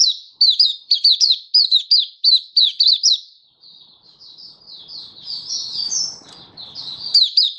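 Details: Oriental white-eye in open 'buka sing' song display, recorded 24 February 2023: quick series of sharp, high, downslurred chirps for three seconds, then a softer run of high warbled notes over faint low noise, chirps returning at the end.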